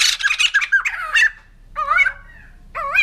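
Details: White-crested laughingthrush producing a rapid burst of harsh, rattling squawks, followed after a pause by two separate wavering, nasal calls.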